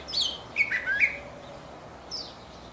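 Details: Curve-billed thrasher (huitlacoche) giving a short burst of clear whistled notes that swoop up and down, then a pause and one faint high slurred note near the end.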